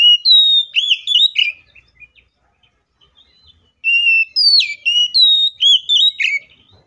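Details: Oriental magpie-robin fighting song, meant to spur other magpie-robins to sing: two fast, loud sequences of looping, whistled notes that jump and slur between pitches, separated by two seconds of near silence.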